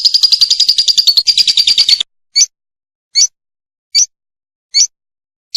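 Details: Recorded for a long master track, a lovebird gives two seconds of fast, ringing, high chatter. Five separate sharp chirps follow, spaced about every 0.8 seconds.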